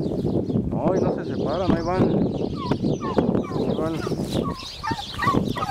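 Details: Rival turkeys, tired after fighting over territory for a long while until people separate them, give rapid, warbling gobbles in quick bursts and short squawky calls, with people talking nearby.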